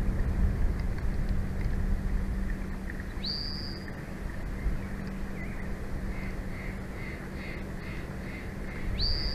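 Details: Bald eagles at their nest in Big Bear Valley, California, on 23 May 2024 at 22:19, picked up by a live nature cam. Two thin, high, rising whistles with a short string of softer chirps between them, over a steady hum and broadband hiss.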